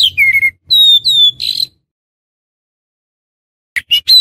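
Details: Oriental magpie-robin lure for trapping wild magpie-robins: a few long, gently falling whistles and a buzzy note, then silence, and three short rising whistles at the end.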